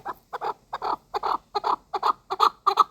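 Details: A chukar partridge used for hunting repeats harsh two-part chuk-chuk notes about three times per second, evenly spaced and clear against silence.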